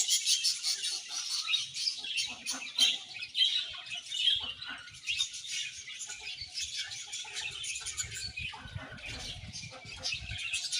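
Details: A flock of budgies twitters continuously at a moderate level, fast scratchy high chirps blending into a constant chatter over nearly eleven seconds, with soft low rumbling underneath.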